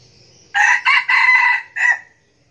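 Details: A captive decoy red junglefowl cock in Bình Phước, Vietnam, described as a diligent crower, crows once: a loud, harsh four-part crow of two short notes, then a longer held one and a clipped final note, in a quiet setting.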